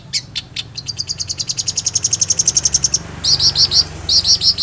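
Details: Long-tailed shrike singing energetically: a few spaced harsh notes, then an accelerating run of quick, even chips, ending in louder doubled buzzy phrases repeated in short bursts.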